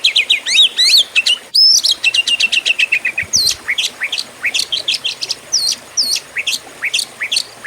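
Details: Oriental magpie-robin, a fighting-style contest bird, sings a rapid, varied run of sharp whistled notes and upward-sweeping chirps, many repeated in quick series, with a loud rising whistle midway; clear and dominant throughout.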